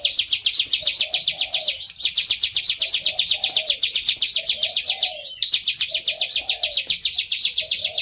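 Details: Bar-winged prinia song of the rice-field type, played as a lure for trapping: long runs of fast, sharp, high ticking notes, about six per second, broken by two brief pauses, with softer low chirps beneath.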